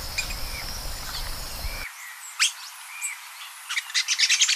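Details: Thraupis ornata, the Golden-chevroned Tanager, giving high sharp chirps that speed into a rapid series of squeaky notes at the end, after a few scattered calls and a background high hum.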